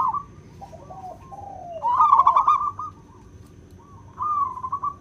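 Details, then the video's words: A local wild zebra dove with crisp, clear song for bird luring: soft descending coos at first, then a loud rapid trilled burst near two seconds and another short stuttering phrase after four seconds. "Suara perkutut lokal alam gacor | suara kristal jernih bagus untuk pikat!!"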